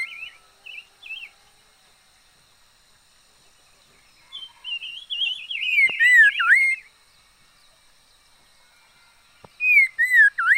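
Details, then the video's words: Decoy red-faced liocichla sings a few short wavy whistles, then a loud phrase of swooping whistles near the middle and another dipping whistle at the end, with quiet gaps between. "Chim mi lửa mồi hót hay vij txwv noog vom yij liab ntseg quaj kho siab kawg li"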